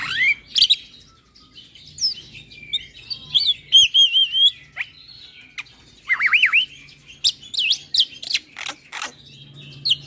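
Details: Black-winged starling (jalak putih) in varied 'ngeroll' song aimed at rival starlings: mixed whistles, warbled rising notes and harsh chips separated by short pauses.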